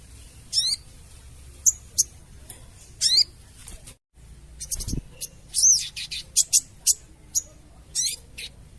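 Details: Sooty-headed bulbul giving crecetan calls, used as a lure when trapping birds: irregular sharp, high descending chirps and ticks, clustering quickly in the second half, with a brief low thump and faint background hum.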